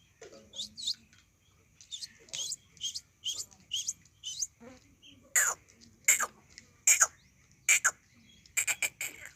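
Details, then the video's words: Desi quail giving rapid repeated calls, crisp high notes in quick pairs, softer at first, then louder bursts in the second half, with a low murmur in the background. "desi batair ki new awaz"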